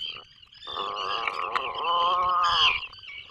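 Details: Drawn-out harmonic groan from Atlantic puffins in their breeding burrow off the coast of Maine in the 2024 season, steady at first, then rising and bending near the end, with a thin high whine throughout.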